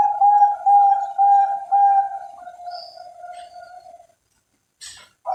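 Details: Bangkok-type zebra dove (perkutut) kept by breeders in Cilacap, Central Java, singing a mellow cooing song: four pulsed coos about half a second apart, then a softer, fading trill before silence.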